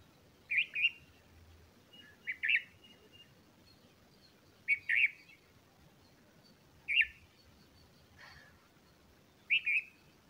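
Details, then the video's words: Bulbul chicks being fed by a parent, with short, bright, slightly buzzy chirps in five separate bursts spread over ten seconds, some bursts doubled, over quiet background noise. "Bulbul feeding chicks"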